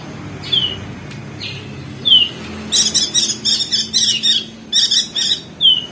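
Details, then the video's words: Crested white-eye, Lombok, West Nusa Tenggara, ngeriwik chatter for training birds to sing: isolated sharp downslurred whistles, then a string of about six rapid buzzy high chatter bursts, closing with another falling whistle. "Masteran perenjak daun [ opior jambul ] ngeriwik josh"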